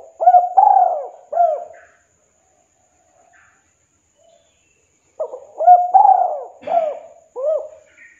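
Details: Spotted dove, a 'kuk 2' style caller, calling a rival and played as a lure; two bouts of low, hollow cooing, each a quick run of arched coos around one drawn-out stressed coo, separated by about three seconds of silence.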